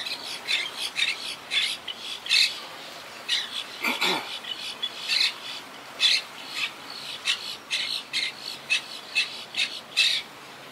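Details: Busy chorus from a wild Quaker parakeet colony rebuilding after Hurricane Irma in 2017, nesting high in trees: rapid, overlapping harsh squawks about every half second for over ten seconds, with one lower rasping note midway.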